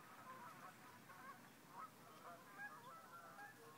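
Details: Flying geese over sunrise wetlands on a Sunday morning give a steady jumble of overlapping nasal honks, rising and falling in loudness throughout.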